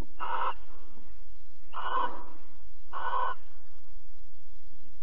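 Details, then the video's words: Barn owl pair mating and cuddling at Alphen, 22 April 2020, 21:37: three strong, rasping hiss-screeches about 1.5 seconds apart, then quiet apart from a low hum. "Kerkuil Alphen 2020 04 22 Paring en Kroelen 21 37"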